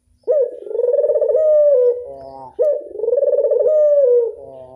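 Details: Classic angungan cooing from a local Barbary dove: two long, purring, tremulous coos, each starting abruptly and sliding down slightly at the close, followed by short stuttered gurgling notes.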